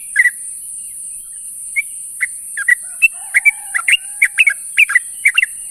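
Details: Sooty-headed bulbul calling to companions in the morning: short, bright chirping notes in quick irregular bursts, some paired, with a faint low whistle near the middle and a steady high hiss throughout.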